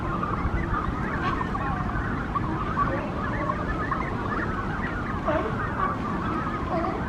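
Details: At a Monterey colony of nesting Brandt's cormorants, with chicks present, on a morning walk: continuous overlapping warbling calls from many birds rise and fall above a steady low rumble.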